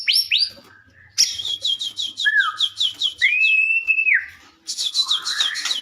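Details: Singing white-rumped shama used to provoke other shamas into answering: high whistles, a rapid metallic rattle, a falling slur and one long steady whistle, ending in another trilled burst.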